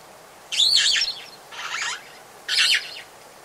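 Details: Long-tailed glossy starlings calling at Oyster Creek on the Coast Road in The Gambia, recorded medium close-up to close-up: three harsh, grating bursts about half a second each, the middle one softer and rougher, over a quiet background.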